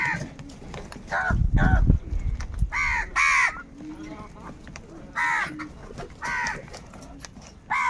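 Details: Crows competing for food with angry calls: low rumbling thuds early, then scattered hoarse caws at irregular intervals, loud pairs alternating with quieter distant ones, and a final caw at the end.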